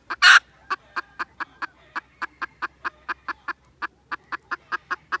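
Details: Junglefowl recorded 16 December 2021: a long, steady train of short, hard clucks, four or five per second, after a brief loud rasping burst near the start.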